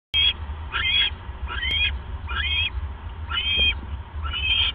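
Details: Owl at night on 28 January 2015, around 11:37 pm, as the male delivers a mouse to his mate. High, rising chittering notes repeat about once a second over a steady low hum.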